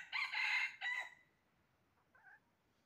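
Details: Red junglefowl calling while being trapped, recorded 20 January 2023: a harsh two-part crow, a long rasping phrase then a shorter falling tail, followed by a faint distant call near the end.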